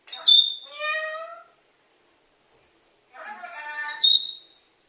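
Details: Pet parrot calling for mom, saying "amme" in two bright, strained, speech-like bursts separated by about two seconds of silence.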